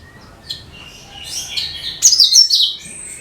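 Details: Short burst of cucak kinoi (bulbul) song, played to lure other birds: fast high chattering twitters that swell into a loud, rapid warbled phrase midway.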